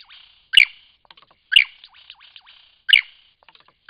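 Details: Lyrebird singing in Cape Liptrap Coastal Park: loud, sharp, ringing bursts about once a second, each trailed by softer buzzy chips and short downward-slurred notes.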